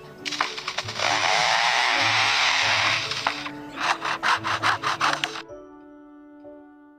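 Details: A male superb lyrebird, from forests along Australia's southeast coast, imitates a chainsaw: a long rasping whine, then a run of rapid revving bursts, before music takes over.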